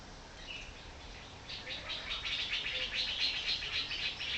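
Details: Woodpecker calling at a home in Chonburi Province, Thailand: after a quiet first second and a half, a fast, dry rattle of high chattering notes, nearly four per second, runs steadily to the end over faint background hiss.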